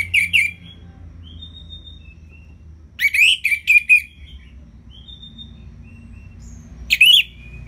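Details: Orange-headed thrush, played to urge lazy birds to sing: loud buzzy whistled bursts at the start, middle and end, linked by soft thin whistles, with low background hum.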